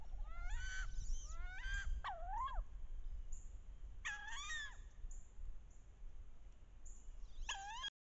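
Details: On a bayou in the last weeks of October, paired wood duck hens vocalize loudly while chasing and posturing, head down, to entice drakes. Clear, rising-and-falling squealed calls come in short bursts with gaps, over a low background rumble.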